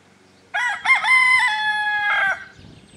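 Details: Cockerel crowing at Le Croissant near La Croix Tasset, Saint-Nicodème, Côtes-d'Armor, Brittany, France, on 24 April 2011: one loud harmonic cock-a-doodle-doo, two short rising notes then a long held note ending with a brief drop, over a quiet background.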